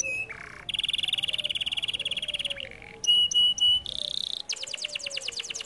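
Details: Canary singing varied phrases: a low churr, a long buzzing trill, clipped whistled notes, a piping rattle, then quick descending chirps.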